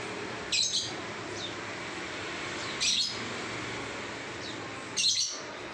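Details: Lovebird singing 'ngacor' gives three harsh, high, squeaky chirps about two and a half seconds apart, with faint softer notes between and steady background noise.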